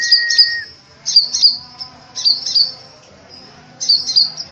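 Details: Sunbird giving pairs of sharp, very high chirping notes in short clusters about a second apart. A steady, lower tone is heard briefly at the start.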